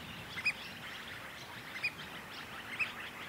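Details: Pied oystercatcher at a nest in Port Hacking, New South Wales, day five, with parent birds and a chick; three clipped, high piping notes about a second apart, each crisp and short, over mild hiss.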